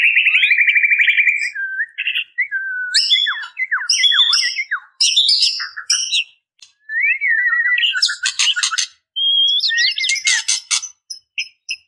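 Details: Female white-rumped shama calling to males, opening with a long buzzy trill, followed by varied whistled slurs, harsh clicks and high sharp notes in quick bursts separated by brief pauses.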